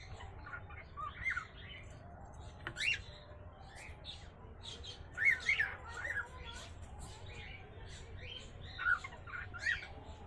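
An angry cockatiel gives harsh, raspy squawks in short bursts every couple of seconds.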